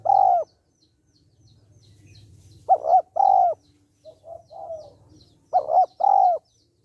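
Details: Female spotted dove calling to rouse males: loud, mellow paired coos repeated in bursts, with softer broken cooing between them and near silence otherwise.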